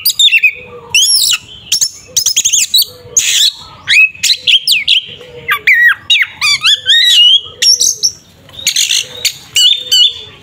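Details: Oriental magpie-robin (kacer) giving a fighting 'tarung ngeplong' song used as bait to provoke a rival into agitation: a dense stream of varied chattering phrases, sharp rising whistles and harsh squawks in quick bursts with short gaps.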